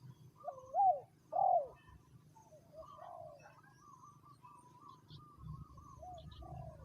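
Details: Third calling round of a decoy spotted dove: two loud undulating coos early on, then faint answering coos from other doves and a low background rumble.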